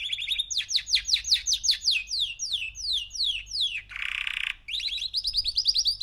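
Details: Singing male canary aged three months: short steady trill, then a long sequence of sweeping descending notes, a harsh buzzy burst, and a return to quick rising trilled phrases.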